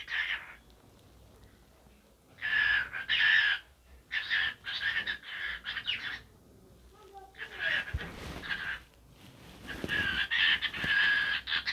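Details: A talking cockatiel, dancing as it vocalises: a series of grating, chattering phrases in clustered bursts separated by short quiet gaps, with a few soft taps in the middle.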